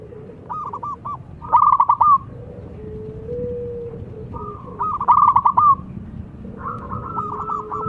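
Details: Wild local zebra dove, described as a crystal-voiced singer that calls rivals, giving rapid pulsed trilling coos in bursts about a second long, separated by softer steady hums, over a low background rumble.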